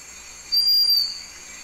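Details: Berlepsch's Tinamou, a dark blackish bird about 28 cm, in very humid tropical Chocó forest at San Cipriano reserve, Valle del Cauca, Colombia, about 200–300 m elevation: one pure steady high whistle about half a second long, over faint hiss.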